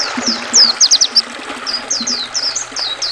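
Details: Oriental white-eye song of quick, high, slurred chirps in uneven bursts over a steady trickling river, paired with water sound to settle caged songbirds.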